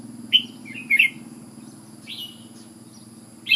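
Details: Red-whiskered bulbul, an Ubon decoy bird, giving a few sparse, clear whistled notes, some slurred downward, separated by long quiet gaps with a faint low background hum.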